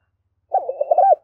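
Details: Brief spotted dove phrase used to get a decoy dove cooing: a warbling run of soft low notes ending in a rounded, slightly rising-then-falling coo.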